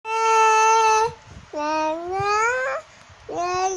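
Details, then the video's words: Cockatoo singing: long, nasal, harmonic-rich tonal notes, each about a second long, the second rising steadily in pitch, with short pauses between them. "Nyanyi burung kaka tua"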